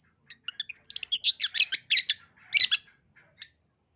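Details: Long-tailed shrike song used as a lure to set young shrikes singing: a rapid chattering run of scratchy, high chirps and short whistles, rising in density, then a harsh burst and a final faint note.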